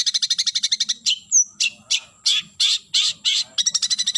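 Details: Long-tailed shrike calling a rival. A rapid, even burst of dry, high ticking notes leads into harsh, rasping bursts about three per second, then another fast ticking run.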